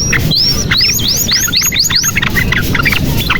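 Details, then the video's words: Canary singing, used to coax young birds into song: a series of rising, arching whistled notes repeated rapidly, mixed with short chips over a steady low background hum. "SUARA KENARI GACOR • Pancingan Kenari Macet Bunyi Supaya Gacor • Membuat Kenari Paud Cepat Bunyi"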